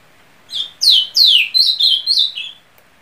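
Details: A bright, two-second ultramarine grosbeak song of slurred descending whistles, several notes linked into one flowing phrase, with a quiet background.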